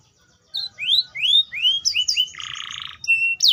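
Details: Atlantic canary singing rising, slurred whistles of varied shape, followed by a rasping buzz and a brief high whistle.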